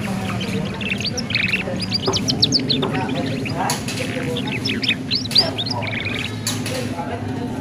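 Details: Canary chirping in the ngeriwik style used to coax young canaries into singing; dense clusters of quick high tweets and rising trill notes, several bursts through the recording, with a constant low background hum.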